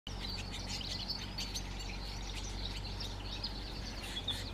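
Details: Wild Atlantic canaries in Moya, Gran Canaria, in November 2024, one keeping the others from feeding: quick high chirps and short twittering notes scattered throughout, over a steady low rumble of background noise.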